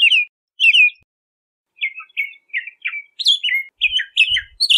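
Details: Bahama mockingbird song of separate phrases: paired downslurred chirps, then a series of sliding whistled notes with a few higher sharp notes, faint low thumps near the end.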